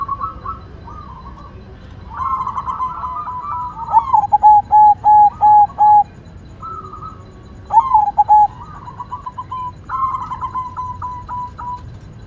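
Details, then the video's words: Zebra dove of the white variety, singing vigorously: repeated phrases of rolling, bouncy coos, including a run of evenly spaced hollow notes and several trilled, descending bursts, with steady low rumble beneath. "Perkutut Putih Gacor Suara Mantul"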